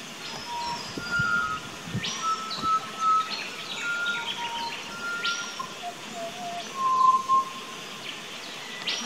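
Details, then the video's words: Australian backyard pied butcherbird, filmed 19 October 2018 on a Nikon Coolpix P900, pouring out mellow sustained whistles and lower fluted notes in a loose series, with scattered high chips from other garden birds throughout. "Pied Butcher Bird~Birds Singing"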